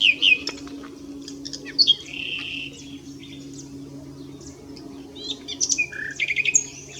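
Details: Common nightingale at S'Albufera singing sparse phrases: a few sharp chirps, a buzzy held note, then after a pause a cluster of quick rising whistles and a low whistled ending.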